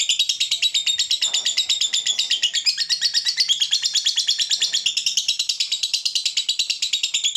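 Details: Long-duration ngekek trill of a fighter-type lovebird, played to train other lovebirds: a rapid chattering stream of high, rhythmic pulses, about ten a second, continuing without a break throughout, with slight shifts in pitch.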